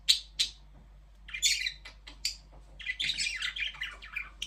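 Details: Budgerigars chirping: a lively stream of bright, warbling high chirps and short squawks, some notes sliding downward, coming in quick irregular runs with a low constant hum underneath.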